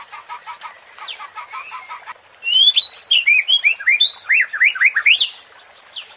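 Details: Murai batu, the white-rumped shama, in a provoking song meant to rouse fighting emotion: soft repeated low chips at first, then a loud outburst of looping whistled phrases and zigzag notes.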